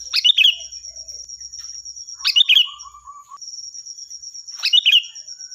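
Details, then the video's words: Sooty-headed bulbul in loud song, used to tutor other birds: three brisk phrases, each a sharp note sliding into a brief liquid warble, about two and a half seconds apart, plus a short low whistle and a constant high whine. "Suara burung Kutilang Gacor || Nyaring dan keras cocok untuk masteran"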